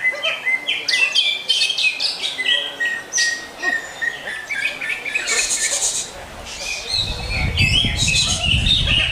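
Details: Greater green leafbird singing a rich, showy song: rapid varied chirps, sharp whistled notes and buzzy high phrases tumbling one after another, with a low rumbling noise rising under the final two seconds.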